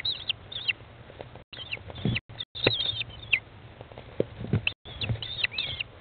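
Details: Nest-box feeding of 15-day-old American kestrel chicks by their mother, 20 May 2011 at 13:54; repeated high, thin, wavering calls in several bursts, interspersed with scratching and bumping sounds.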